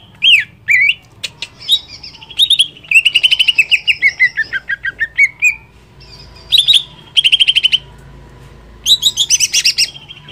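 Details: Greater green leafbird singing to stir another leafbird: sharp slurred notes, long rapid chirp runs gradually falling in pitch, pauses with thin whistles, then further bursts of quick chirps.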